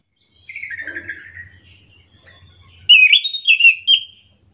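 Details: Singing orange-headed thrush in the morning, beginning with a quieter falling warble over a low hum, then a loud, quick string of rolling, looping whistled notes.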